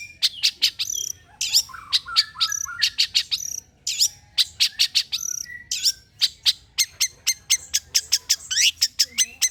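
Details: Long-tailed shrike song used as a lure to make other shrikes sing: a dense run of sharp, harsh chips and buzzy notes with quick rising and falling whistles, packed closely over about ten seconds.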